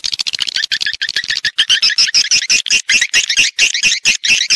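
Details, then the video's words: Swiftlets in a lure recording used in swiftlet farming to draw birds into nesting houses: rapid series of sharp, high chirps repeated about twice a second, growing into a denser twittering chatter. "ÂM THANH CHIM YẾN"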